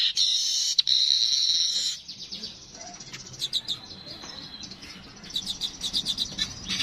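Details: Streaked weaver gives a loud buzzy sizzle, then falls quiet. Soft scattered ticks and short chips follow, growing into rapid clicking toward the end.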